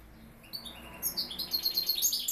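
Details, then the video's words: Goldfinch hybrid giving a quick series of high, sharp twittering notes that grow louder over a steady low background hum. "Mixto de jilguero"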